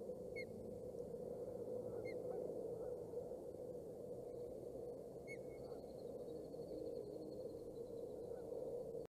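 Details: Osprey calling at its Boulder County nest during a feeding on 27 May 2018: short, clipped whistled chirps come spaced a couple of seconds apart, fairly faint, above constant low background hum.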